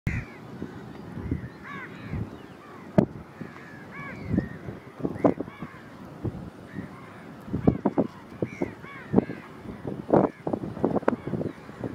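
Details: Brown-headed gulls (Chroicocephalus brunnicephalus) giving harsh, croaking calls in loose irregular bursts, several birds overlapping, with low rumble and other bird voices; Kerala.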